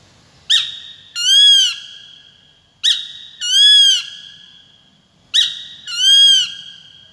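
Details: Peregrine falcon calling in three paired bursts about every two and a half seconds, each a short sharp note followed by a longer, harsh, drawn-out wail with rich harmonics; no other sounds.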